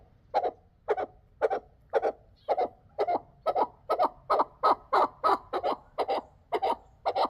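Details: Chukar partridge calling from Dulan: a steady run of about fifteen short, hoarse chuck notes repeated roughly twice a second, growing slightly louder and quicker toward the end, quiet background.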